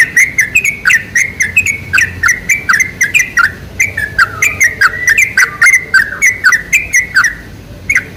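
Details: Sooty-headed bulbul singing a lure song meant to draw in bulbuls, with long unbroken chatter of bright, bubbly whistled notes, fast and slightly uneven, sometimes doubled.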